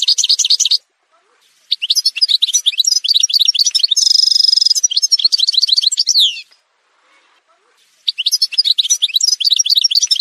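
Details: Algerian goldfinch singing in a montage recording: bursts of fast, bright twittering broken by short silences, including a sustained buzzy, nasal trill in the middle and a tinkling run of chirps at the end.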